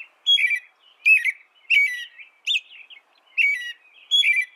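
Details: An American robin sings clear, rich whistled phrases that dip and rise, spaced about half a second to a second apart, with quiet pauses between.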